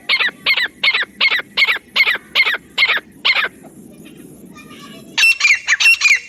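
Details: Jungle francolin used for hunting lures: a run of about ten loud, harsh, evenly spaced notes over roughly three seconds, then a short silence and a fresh burst of rapid, squeaky notes, with low rumbling noise beneath.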